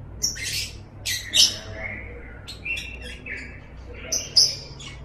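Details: Lovebird chattering (ngekek): scratchy high bursts and sharp chirps are interspersed with lower warbling rolls. The bursts come irregularly, with a louder shrill note near the end.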